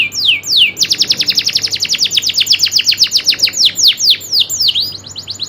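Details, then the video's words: Indonesian local canary with a rolling song: two drawn-out falling whistles, then a dense, fast run of high downslurred notes that gradually slows into separate sweeping calls near the end. "kenari loper suara asli nembak ngerolll"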